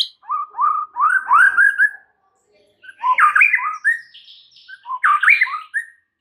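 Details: White-rumped shama singing full filler phrases, used to get a reluctant shama singing: bursts of rich, fluty warbled whistles rising and falling, separated by short pauses.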